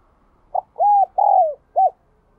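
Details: Spotted dove with the prized 'giọng đồng kim' voice, also called 'đồng chuông' bell-toned voice. It gives one four-part coo: a short opening note, two long, smooth, slightly arched low notes, then a brief closing note, over a quiet background.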